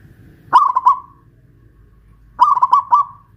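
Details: Zebra dove of local Pajajaran type from Kuningan, West Java, singing loudly from a hoisted cage: two rapid phrases of bubbling pulsed coos, each drawn out at the end, about two seconds apart.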